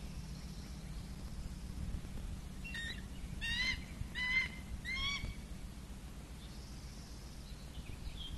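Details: A young hawk nestling near fledging, active around the nest late in the day, gives four harsh, nasal, grating calls about half a second apart midway through, over steady low background rumble and noise.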